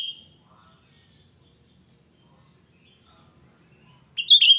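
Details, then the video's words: Cucak rante, singing loudly and shrilly as a lure for others of its kind; a brief piercing note opens, then near-silence, then a closing burst of high, jerky, slurred notes. "Cucak Rante gacor ‼️Suara melengking Cocok untuk Pancingan cucak Rante bahan"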